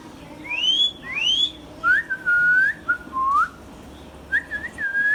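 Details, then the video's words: Green Indian ringneck parakeet, a hand-tame pet, whistling: two loud upswept whistles, then a series of level and gently rising whistled phrases with short pauses, in a quiet room. "Green Ringneck Parrot sounds"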